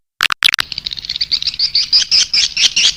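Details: Swiftlet call used to attract swiftlets: a few sharp clicks, then a rapid high twittering trill of chirps, steady in pitch, with each note rising and falling in loudness.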